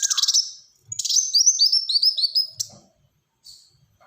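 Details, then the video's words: Black-throated sunbird delivering a rapid 'tembakan rapat' burst: an opening buzzy trill, then a run of sharp, high whistled notes that slide downward in quick succession before a brief pause and soft scraping sounds. "Burung Kolibri Wulung Gacor Tembakan Rapat"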